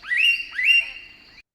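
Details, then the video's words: A blue-faced honeyeater gives a simple vocalization of two quick, clear whistled notes, each sweeping upward and then holding steady with a slight buzz, with no other sounds heard. "And then we also have more simple vocalizations, such as the blue-faced honeyeater"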